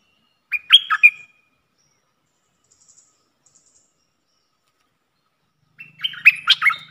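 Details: Caged decoy red-whiskered bulbul used for luring: a brief cluster of chirpy, slurred notes, then a long silence, then another richer burst of warbled phrases. A faint low hum runs under the second burst.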